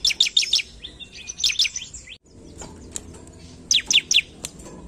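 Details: Sumatran leafbird singing to provoke rivals: fast volleys of sharp descending high chirps and twitters, a brief quiet gap, then another quick burst.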